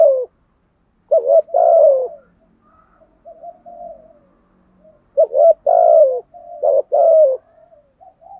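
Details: Spotted dove giving thúc gù coos in giọng thổ voice: three phrases of a quick two-note lead-in followed by a long, mellow, falling coo, with quiet murmured notes in the gaps.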